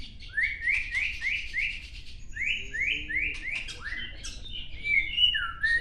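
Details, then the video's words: White-rumped shama from Gayo Lues, Aceh, caught as a chick in 2019 and moulted once, singing during a group training meet: a series of rising slurred whistles repeated about three per second, then varied downslurred phrases over low background noise. "Murai Batu Gunung Leuser Virus CBF Aceh"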